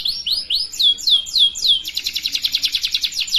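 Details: Canary song played to teach young canaries to sing: a few slurred downward whistles about three per second give way to a rapid, even rattle-like trill.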